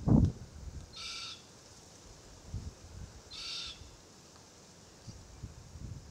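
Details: An immature forest red-tailed black cockatoo (Calyptorhynchus banksii naso) calls incessantly from a Marri tree while its parents feed on green gumnuts nearby. It gives two harsh, rasping calls about two seconds apart, over low thumps and rustling.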